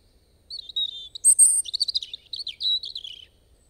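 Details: A European robin sings a quick, varied phrase of high, thin whistles and liquid trills lasting about three seconds, with a quiet background.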